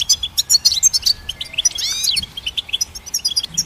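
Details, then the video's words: Goldfinch twitter of quick bright notes, broken midway by a loud curved whistle that rises and then falls, before the rapid chirping resumes. "Goldfinch Symphony orchestrated by nature's motivational melodies"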